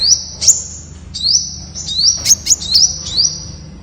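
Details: High-pitched thin song of Temminck's sunbird: quick rising slurs ending in a held shrill tone, delivered in a fast run punctuated by sharp clicks, with a quiet low hum behind.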